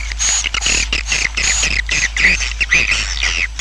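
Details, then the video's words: Roosting swiftlet colony sound, played to draw swiftlets in so a colony grows quickly: dense, overlapping squeaky twitters and chirps with rapid chattering notes, continuous throughout with no pauses. "SUARA INAP KOLONI WALET"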